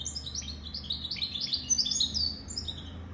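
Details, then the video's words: Goldfinch mule, the goldfinch and canary hybrid, sings a fast, tinkling stream of high chirps, roughly three notes a second, over a constant low hum. "Goldfinch mule sirwitty bird"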